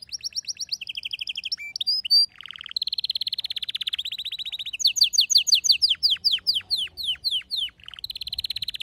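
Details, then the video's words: Canary in a home, male singing alongside a female calling for mating; rapid high trills shift into a loud low rolling buzz, then a run of loud sharp downward-swept notes and another rolling trill. "صوت طلب إنثى الكناري التزاوج مع غناء فائق الروعة لذكر "canary""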